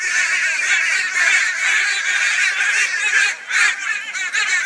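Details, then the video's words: Crows mobbing a barn owl in Brisbane, Australia, 22 February 2022. Many birds give a continuous, dense chorus of loud, harsh, raucous calls that overlap with hardly a break. "Crow Reacts to Barn Owl with High Volume Raucous Noise"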